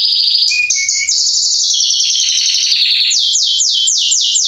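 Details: Singing male Belgian canary of the Salsa line, used to warm up canaries: dense high rolling trills, short lower whistled notes, a falling rolled phrase, then rapid repeated downward-sweeping notes.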